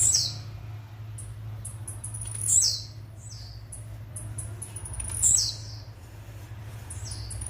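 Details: Blue-black grassquit singing the song style called metralha: short, sharp, high buzzy notes that sweep downward, about three bursts spaced roughly two and a half seconds apart, with faint higher chips between them and a steady low hum beneath.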